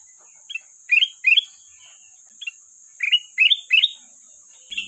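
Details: Sooty-headed bulbul singing to call a rival: short bubbly whistled phrases in clusters of two or three notes, pausing about a second between bursts, against a steady high electronic hum.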